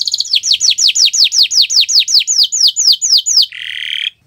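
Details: Canary song recorded on a Friday morning: a steady series of about fifteen clear downward-sweeping whistled notes, roughly four per second, ending in a brief harsh buzzy phrase.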